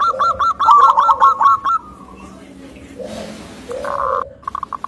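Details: Local zebra dove, described as thick-voiced and able to provoke other zebra doves, sings a short burst of quick repeated cooing notes that trail into a long tone. Quiet soft coos come afterward.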